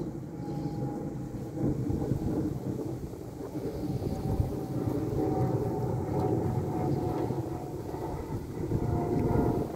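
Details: Steady low rumble of wind and engine-like noise fills the recording, with no animal voice heard.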